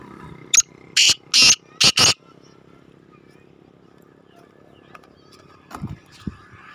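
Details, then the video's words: Black francolin, known locally as kala teetar, calling beside a main road: five loud, harsh, grating bursts packed into about one and a half seconds, then near quiet with faint scattered knocks and low background noise. "Black Francolin Calling On Main Road Shoq wala Teetar Bedar Kala Teetar"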